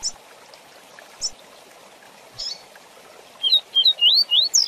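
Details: Fast 'tui tui zel zel' song of a double-collared seedeater, a tutor style for training young birds: scattered soft chips, then a rapid string of upward-slurred clear whistles, quickening toward the end.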